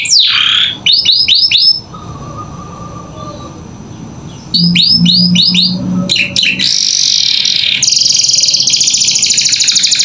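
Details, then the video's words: Canary song as training audio for captive songbirds in Indonesia: rapid descending chirp bursts, a low drawn-out tone, then sustained high buzzy trills and rolling tours. "Masteran Kenari Gacor Isian"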